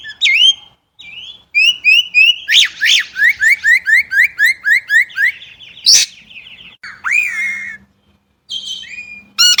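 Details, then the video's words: Chinese blackbird singing a varied phrase: sharp slurred notes, then a fast run of about a dozen repeated downslurred whistles, a buzzy stretch and a loud rising-falling note. A low steady hum sits underneath. "烏鶇(黑鶇)的叫聲/Sound of Chinese Blackbird"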